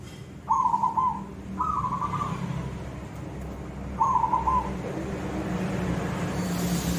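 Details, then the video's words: Zebra dove of the silver type in koong-style song: two quick rattling trilled coos in succession, a pause, then a third bubbling phrase, against soft low-frequency hum. "perkutut silver gacor suara koong"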